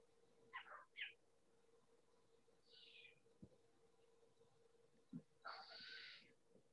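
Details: Short-eared Owl, a migratory ground-nesting owl of Manitoba prairies, giving harsh, raspy, barking calls in short bursts, then a longer wheezy scream, over a steady low electrical hum.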